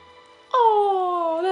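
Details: Falconry bird of prey making a quiet, cute noise: one drawn-out tonal whine that starts abruptly, dips slightly and then levels off, lasting about one second.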